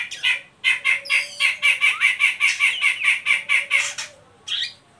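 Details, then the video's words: Oriental magpie-robin ngeriwik call, used as a lure to stimulate young birds to sing: a fast chattering rattle of about a dozen buzzy notes in steady rhythm over a long low whistle, then a final short burst. "Suara burung Kacer ngeriwik pancingan ampuh buat Kacer bahan"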